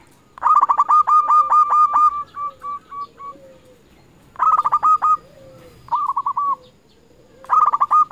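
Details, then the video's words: A local zebra dove gives a lure song meant to make rivals respond: a long run of quick, even, ringing coo notes that trails off, then shorter bursts of the same rolling notes a few seconds apart. "Perkutut lokal gacor RAJA PIKAT memanggil lawan sekali dengar bikin semua perkutut nyaut"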